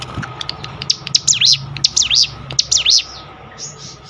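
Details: Sunda bush warbler singing a series of high, swooping up-and-down whistled phrases in short clusters, then quieter; played as a training recording for cage birds, with a faint background hum.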